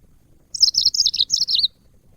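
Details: Yellow-fronted canary, a cage bird, singing in a training recording for other cage birds: a quick run of about eight high, sweet, chirping notes, each sliding downward, lasting just over a second before silence.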